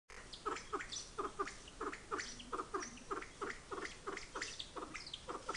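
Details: Kalij pheasant in the breeding season, Nainital, Himalaya, giving a steady run of low, throaty clucks and chuckles, about two or three each second, with faint twittering in the background.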